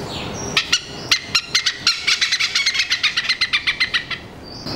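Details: Two Oriental Pied Hornbills perched on a TV aerial above a house in Singapore, noisy, calling individually and together while exchanging pecks; a rapid series of sharp, clucking harmonic notes accelerating into a cackling run, with a whistled phrase at the start and end.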